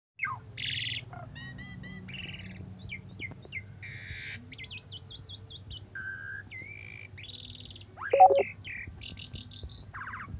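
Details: Asian pied starling singing in morning and evening condition, a recording used as a tutor for other cage birds and said to provoke them: rapid varied whistles, slurred and buzzy notes, and harsh chattering phrases, with a steady low hum behind.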